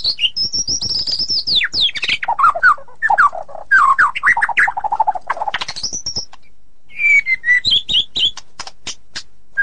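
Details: White-rumped shama singing in the ngeplong and ngeroll styles, tight rolling delivery: high whistled phrases sliding downward, then dense buzzy rattling trills, a pause, and sharp repeated chips with a falling whistle.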